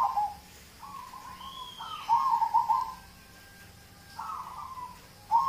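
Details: Local zebra dove song, used as a prompt to get other birds singing: low, rolling cooing phrases with a trilled, bubbling texture, several phrases spaced over a few seconds, the loudest near the middle and one starting at the very end.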